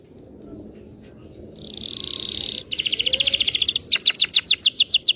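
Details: Canary's long rolling song for teaching young canaries to sing: it opens quietly, swells into a loud buzzing rattle, breaks into a rapid pulsing trill, then ends with crisp repeated sweeping notes.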